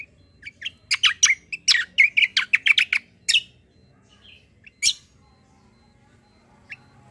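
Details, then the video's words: Kecial kombo white-eye, a strong fighter singer used for tutoring other birds, delivering a dense burst of loud harsh chips and buzzy notes, then quieter scattered calls after a short gap. "KECIAL KOMBO CUCAK KOMBO FIGHTER GACOOR || COCOK UNTUK MASTERAN"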